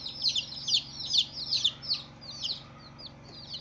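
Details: Baby chickens on their first day: loud, shrill, falling cheeps about twice a second that fade after a few notes into softer, scattered peeps over a faint low hum.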